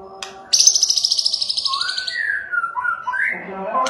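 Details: White-rumped shama singing aggressively, used as a lure to provoke other shamas into singing and fighting; a fast buzzy high trill gives way to clear whistled notes sliding up and down, over a steady low humming drone.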